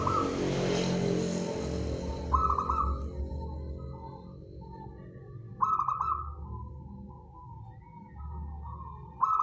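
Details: Wild local zebra dove used as a trapping lure, singing a series of quick bubbling cooing phrases, each a stuttered burst trailing into softer drawn-out notes, after a loud rushing noise at the start; low rumble throughout.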